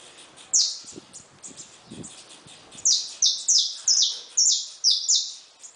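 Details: Saffron finches kept in a cage with just-hatched chicks. Faint soft notes and a few low knocks come first, then a run of about seven loud, bright descending chirps in quick succession.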